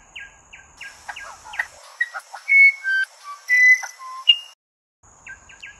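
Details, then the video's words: Musician wren song: a run of short, quickly repeated downslurred chirps, then clear pure whistled notes at shifting pitches, some long and steady, with brief gurgling notes between. A pause follows, then the chirps start again. A faint steady high hiss runs underneath. "Musician Wren Sound"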